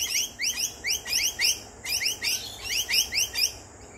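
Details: Two lorikeets singing in a backyard during a barbecue lunch: brisk series of rising, slurred notes with strong harmonics, in clusters of three or four, repeated steadily through the clip.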